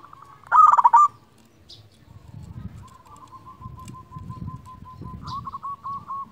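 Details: Local zebra dove used as a lure to call rivals opens with a short burst of fast bubbling coos. A long, soft, rolling purr follows over a low rumbling background.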